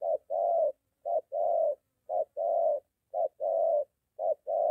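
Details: Moulting decoy spotted dove practising near home alongside a wild dove, uttering four crisp short-then-long coo pairs in regular rhythm, low and mellow with no other sounds.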